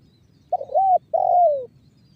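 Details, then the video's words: Single phrase of a spotted dove in the banggo bocor lure style, used to set other doves calling: a wavering doubled coo flowing into a longer, smoothly falling hoarse note. "SUARA TEKUKUR BANGGO BOCOR"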